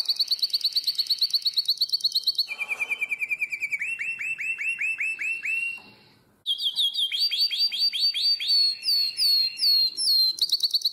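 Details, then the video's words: Nightingale-voiced canary, Drama, 2017, pours out a very high rapid trill, then lower repeated downslurred whistles. After a short pause come varied quick high notes and trills. "Αηδονόφωνο Καναρίνι"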